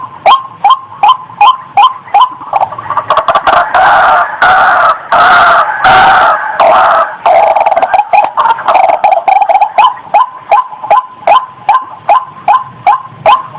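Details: Female white-breasted waterhen in breeding condition, recorded just before mating: fast, regular nasal notes give way midway to a dense, harsh, overlapping burst of calling, then resume their steady repetition.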